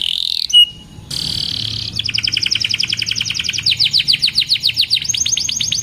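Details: Canary song for tutoring young birds: a brief high pure whistle, a rich buzzy tone, then long fast trills of descending notes that speed up and shift pitch.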